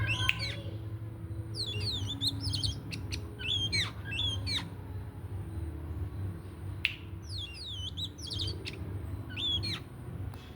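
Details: Oriental magpie-robin ready for its bath, delivering clusters of bright, slurred whistles and chirps in short bursts separated by brief pauses, with a continuous low background hum.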